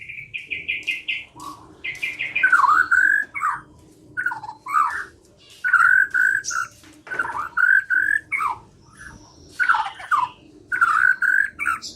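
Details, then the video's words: Lively white-rumped shama singing used as a lure recording. Quick repeated high notes open a long run of varied whistled phrases and chattering, over a steady low hum. "Pikat Murai Batu Dengan PANCINGAN GACOR Ini Di Jamin Macet Langsung Bunyi"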